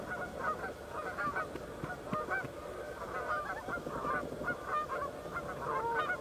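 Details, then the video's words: Two Canada geese fighting while other geese and loons move in to separate them; continuous chorus of harsh nasal honks and yelping squawks, many short overlapping calls without pause. "Canada geese fighting"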